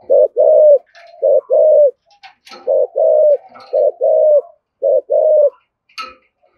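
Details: Spotted dove cooing in thúc gù style to provoke other doves, loud two-part coos, a brief note then a drawn-out falling one, repeated five times with soft low murmurs and a few faint clicks between.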